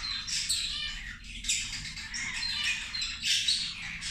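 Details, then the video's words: Several zebra finches calling while they eat lunch. Bright, nasal chirps and squeaky beeps overlap in a steady flock chatter, with louder bursts every second or so over a faint low rumble. "Australijske zebe ručak"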